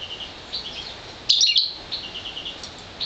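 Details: One-year-old goldfinch mule, a European goldfinch crossed with an intensive green fife canary that is colour-fed, singing high thin twitters, then a loud burst of rapid, tangled warbling notes midway, followed by softer chirps.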